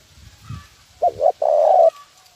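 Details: Spotted dove giving a 'nguku' style lure call used to train birds: two short low coos followed by one long, steady coo, heard once, with faint low rumbling in the background.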